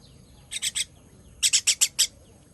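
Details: A baby bird begs during feeding on 18.06.23: three quick harsh chirps, a brief pause, then a faster string of five loud, scratchy chirps.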